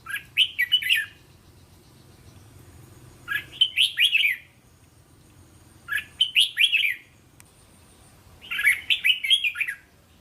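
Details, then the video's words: Red-whiskered bulbul song played for training young caged birds, the Thai style of linked phrases of three to five syllables; four bright warbled phrases of quick notes about two and a half seconds apart, quiet between. "เสียงนกกรงหัวจุก เสียงยั่วๆๆสายต่อ..ไม่ควรพลาด!! เสียงต่อติดแบบง่ายๆๆ100%"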